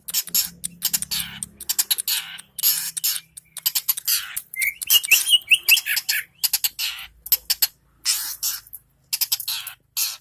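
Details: Energetic long-tailed shrike song from Indonesia: rapid rasping, chattering bursts in uneven runs, broken by a brief tumble of thin whistled notes midway, recorded close up with little background.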